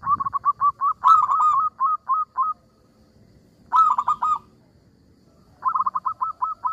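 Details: ['Local zebra dove in full song with a small, sweet voice that prompts rival birds to answer: bursts of rapid, bubbling coo notes, each phrase about two seconds, separated by quiet gaps, with a final run trailing into evenly spaced single coos.']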